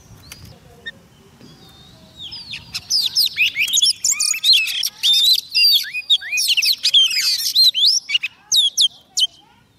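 An Oriental magpie-robin sings a rich, fast run of clear whistles, slurred notes and sharp chips, starting quietly and building into dense, varied phrases.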